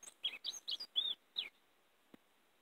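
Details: Lure song for catching European greenfinches: a short burst of five or six high twittering chirps lasting about a second and a half, followed by silence broken by a single faint click.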